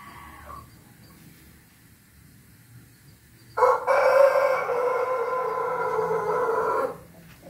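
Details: Ayam Ketawa rooster with a red comb, recorded 20 May 2024, giving one loud, rich, harmonic crow lasting about three seconds. It starts abruptly after a quiet stretch with faint background hum and stops sharply.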